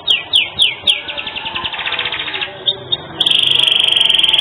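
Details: Canary in full cengkok song for masteran bird tutoring: four downslurred whistles, a rolling trill, a brief pause, then a very fast, even, mechanical-sounding trill to the end.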